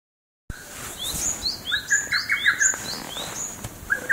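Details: A lesser cuckoo, the first of the year, recorded 3 June 2012, gives a quick, emphatic run of sharp whistled notes, mixed with higher, thin chirps from other small birds.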